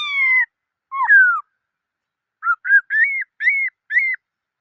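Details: Black-throated laughingthrush whistling clearly: a falling whistle, a downward slurred phrase, then a rhythmic series of short arched whistles that rise and fall, repeated about every half second. Surroundings are silent.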